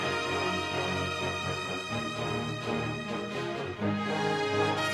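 Full orchestral theme music with layered instruments plays without pause; no animal sound is heard.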